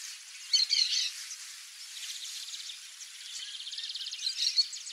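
Bat falcon giving a high, shrill burst, then a rapid run of sharp kee-kee notes rising in intensity, over a steady hiss of background noise.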